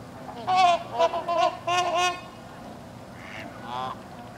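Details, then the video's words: Trumpeter x Whooper swan hybrids at Kellogg Bird Sanctuary, Hickory Corners, Michigan, give a run of loud, nasal, bugling honks, four or five in quick succession, followed by a couple of softer, distant honks. "Trooper Swans (Trumper x Whooper Swan hybrid)"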